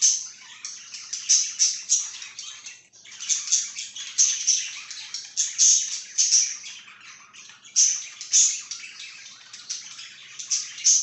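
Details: Budgerigar chirping, recorded 26 July 2023: continuous busy, scratchy high warbling with rapid chattering notes and sharper squeaky peaks every second or so, briefly pausing near three seconds, with no other sounds.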